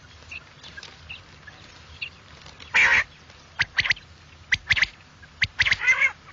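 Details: A quail, used as a morning hunting call, gives loud, harsh, buzzy notes in quick clusters of two or three, separated by pauses of about a second, over a faint low background hum.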